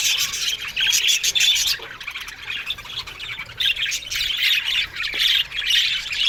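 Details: Aviary budgerigar colony giving bursts of harsh squawks and twittering warbles, dense at first, easing briefly, then rising into loud overlapping chatter again.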